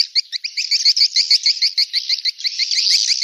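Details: Swiftlet call used to lure swiftlets: a dense, continuous stream of rapid twittering chirps, about three per second, each a short high rising note with a higher band above, forming a steady buzzy chatter that grows louder at the end.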